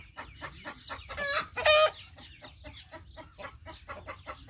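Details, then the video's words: Rooster giving an alert call: a steady run of short, sharp clucks, broken by two loud, harsh, strongly harmonic squawks near the middle, then clucking again at a regular pace. "Rooster Alert Call"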